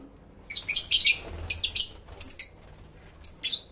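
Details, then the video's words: Lovebirds chattering together indoors, captured in stereo through two external microphones: a busy string of grating, high-pitched squawky chirps in close groups of two or three, followed by a brief gap and two final harsh notes. "1 Hour Lovebird Sounds High Quality Stereo Live Recording V3"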